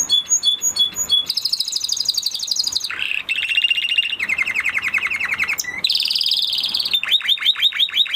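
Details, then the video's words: Continuous Spanish Timbrado canary song: changing tours of fast, rattling, bell-like trills at varied pitches, one lower buzzy roll, and a closing run of quick repeated high notes. "Canary Sound Effect - Canary Singing Video"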